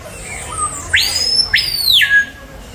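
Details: A Screaming Piha at the San Diego Zoo gives its ringing whistle: two sharp upslurred notes run into a long, high held tone that drops abruptly at the end, over faint forest hum.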